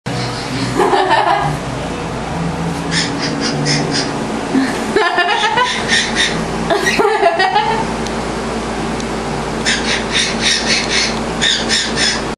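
A cockatiel mimics human laughter in bursts of quick, breathy, chuckling pulses.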